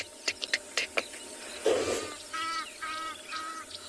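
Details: At sunset on 24 December after rain, in the Tswalu Kalahari Reserve, South Africa, a distant Green-backed Camaroptera gives very loud, sharp, dry ticks, about five within a second, followed by louder nasal, harmonic calls from another bird.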